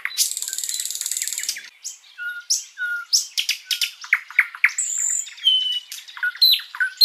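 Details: Continuous song of a sikatan londo flycatcher meant for tutoring cagebirds. It starts with a harsh buzzy rattle, followed by a lively jumble of whistles, chips, downslurs and mimicked-sounding phrases.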